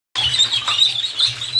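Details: Fifty ducklings swimming together in a bathtub: a dense chorus of high, thin, overlapping peeps, shrill and continuous, with light splashing and patter beneath.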